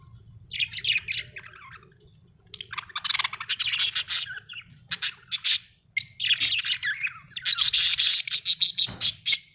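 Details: Happy budgerigar in sustained song: long runs of rapid, scratchy warbling and chirping broken by brief pauses, loud and busy throughout, over a soft low hum.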